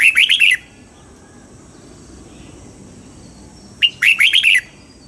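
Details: Caged red-whiskered bulbul singing at daybreak while being trained for a wild double-note song: two clear phrases, each a quick string of five bright, bouncing whistles, spaced about three and a half seconds apart.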